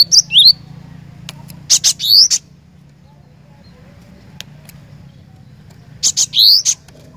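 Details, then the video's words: High, ringing song of a cinereous tit described as 'gacor': three phrases of staccato chips joined by a rising whistled note, spaced a few seconds apart over a low hum. "Kicauan Glatik Batu Gacor"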